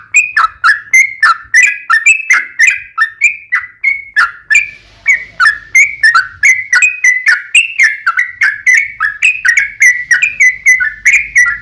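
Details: Long-running song of a sooty-headed bulbul, used as a lure to get other bulbuls to answer: a steady stream of quick whistled notes varying gently in pitch, around three per second, with faint low rumble in the background.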